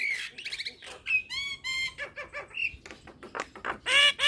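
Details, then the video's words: Nias hill myna song: a dense run of loud, ringing whistles and harsh squawks with many stacked overtones. Short phrases change quickly, with brief rasping bursts between the clear notes. "Dengar Kicauan Jalak Nias Isian Mantap Ini"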